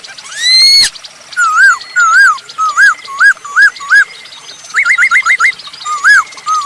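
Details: Masked laughingthrush in lively song, used as a lure to get other birds singing: loud, clear whistled phrases with looping rising and falling notes, a quick run of five rapid upslurs, and one sharp click early on.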